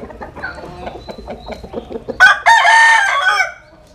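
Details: Rooster crowing in the Mekong Delta countryside of Vietnam: soft clucking and faint distant crowing first, then a loud, rich, sustained crow of about one and a half seconds that fades out.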